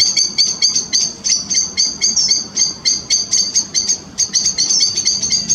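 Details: Grey wagtails, a family down at the River Chelt, giving piercing high clipped notes in quick irregular bursts, several birds overlapping, against a gentle murmur of flowing water.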